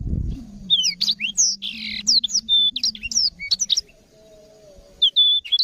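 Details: Black-throated canary; song; tutor song for training canaries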